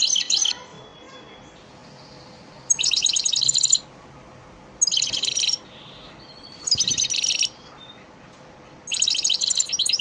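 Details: Elmacık goldfinch lesson song, used to teach caged birds: a brief twitter, then four dense bursts of rapid, jingling, high chattering notes, each about a second long, spaced about two seconds apart.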